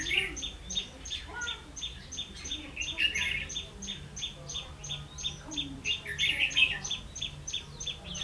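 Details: Decoy red-whiskered bulbul used in trapping, 16 October 2016. Rich rolling warbles swell twice, around the middle and near the end, over a steady rapid high ticking and soft background noise.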